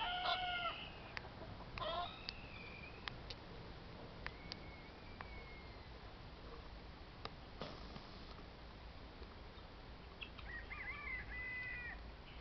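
Guineafowl giving harsh, nasal, strongly harmonic calls in short bursts, separated by a quieter stretch.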